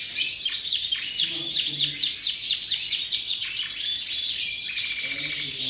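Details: Canary of AOB type with thin plumage, sung for long duration; dense high-pitched warbling with quick descending chirps repeated about twice per second, unbroken throughout, light background hiss and a faint human voice.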